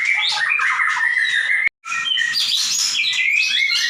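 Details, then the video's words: Dense 'gacor nembak' song of a white-rumped shama: busy whistles and twittering notes, broken by a sudden moment of silence before the chattering stream resumes. "Murai batu gacor nembak"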